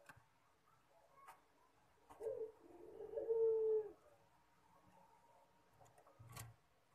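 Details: Collared dove of the pelung type cooing: a single low, drawn-out hooting coo rising into a sustained steady note for about two seconds, with a few faint clicks and knocks around it.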